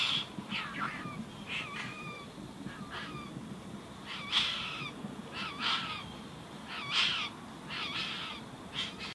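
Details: Tawny Frogmouth chick in a Greensborough, Melbourne back yard, January 2017, fed by one parent: a series of loud, harsh, squeaky calls repeated irregularly, roughly every second or two, with steady low hum behind.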